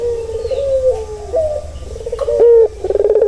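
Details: Turtle dove coo played to calm a stressed bird, a long soft low wavering note followed by a sharper note and the start of a rolling pulsed phrase.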